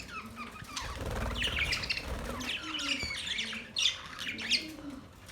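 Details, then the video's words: Several Australian parrots on October 10, 2023, uttering scratchy, rising and falling squawks and chatter, with louder sharp screeches near the end and a faint low hum underneath. "Beautiful Australian parrot sounds | Parrots talking sound"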